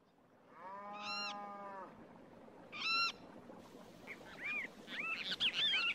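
A long nasal, honking call and a short sharp one, then a busy stretch of overlapping high chirps and squeaks from several waterbirds, over steady background hiss.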